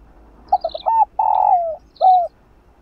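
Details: Spotted dove coo meant to spur a dove slow to coo: short hooting lead-in notes, a long vibrating coo that sinks in pitch, then a brief end note, with faint high twittering.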